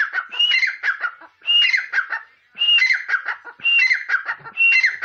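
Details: Uncaged grey francolin calling in loud, harsh, ringing phrases, each with a clear whistled note, repeated about once a second with no other sounds.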